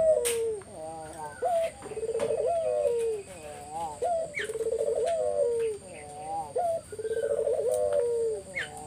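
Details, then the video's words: Spotted dove cooing used as a lure to get other doves to reply: four rhythmic phrases of a brief rising note, a vibrating pulsed coo and a falling end note, roughly every two seconds, with faint hiss. "Burung puter mana yang ga ikut nyaut kalo dengar GACORAN puter ini"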